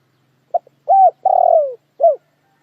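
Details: A clean spotted dove phrase in silence: two tiny opening notes, an arched coo, a long trembling coo gliding lower, then a brief arched coo to finish.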